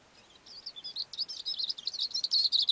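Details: From a rock on a mountain slope, a Cape grassbird pours out quick, scratchy high notes that grow steadily louder over about two seconds.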